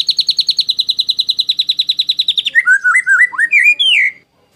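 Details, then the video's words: White-rumped shama song used as a rough burst-style training recording for competition birds: a fast run of about thirty sharp, evenly repeated high chips, then a varied jumble of lower whistled and slurred notes, ending abruptly. "MASTERAN MURAI BATU TEMBAKAN KASAR~SHAMA BIRD SINGING"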